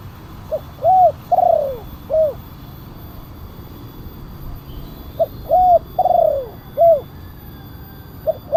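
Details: Spotted dove in kuk 1 style with a big voice, a call for luring wild doves and training others: a four-part phrase of hoot, arched coo, long falling coo and short coo, repeated after a pause of about three seconds.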